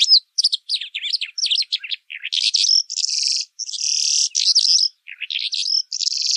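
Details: High, continuous Pailing song in pekling style, mixing quick chirps and slurred notes with long buzzy trilled stretches, barely pausing between phrases.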